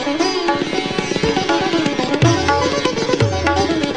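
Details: Indian classical music with plucked sitar and tabla, rhythmic strumming throughout and no animal sound.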